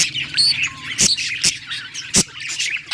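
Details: Happy pet budgie chatter: squawky chirps and short whistles punctuated by three sharp, loud clicks, with a low background hum.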